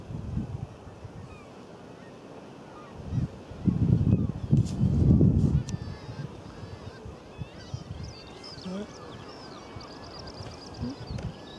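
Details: A Northern gannet colony at Bempton Cliffs, East Yorkshire. Harsh, low, grating calls rise out of the dense colony chorus, loudest in bursts around the middle, with faint higher cries above.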